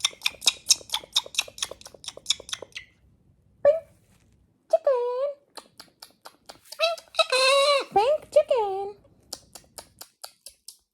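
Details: Talkative pet male galah snuggling with its owner: rapid clicking at first, then squeaky speech-like phrases with gliding, nasal tones near the words pretty bird, with human voices close by.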